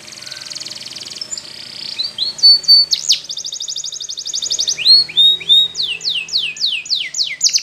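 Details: Spanish Timbrado canary song used for training canaries to sing: fast metallic trills and rattling rolls alternating with repeated downslurred whistled notes, bright and high-pitched throughout.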